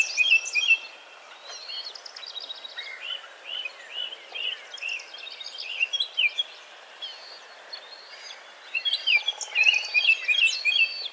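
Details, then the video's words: A young bald eagle (eaglet) near Hannibal, Missouri, by the Mississippi River, calls for something with thin, high chirps and squeaky piping notes in quick irregular bursts, pausing briefly, then calling again more loudly. "Eaglet Calling for something"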